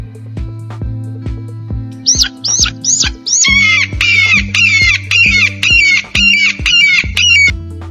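An eagle gives four thin rising whistles, then about ten harsh, chattering descending calls at a quick, steady pace, over light background music with a soft beat.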